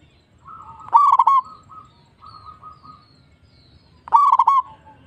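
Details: Local zebra dove song used as a lure to prompt other doves to sing. Two loud, throaty rolling coo phrases about three seconds apart, with softer cooing from more doves in between.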